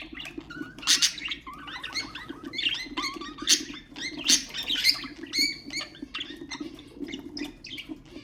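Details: Budgerigars, ornamental cage birds, chattering to stimulate other birds: dense bursts of buzzy warbles, squeaks and sharp high chirps tumbling over one another, with a steady low hum underneath.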